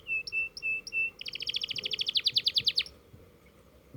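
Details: Canary practising its roll: three steady high whistled notes, then an accelerating rapid trill of clear repeated notes that fades out, with background hiss.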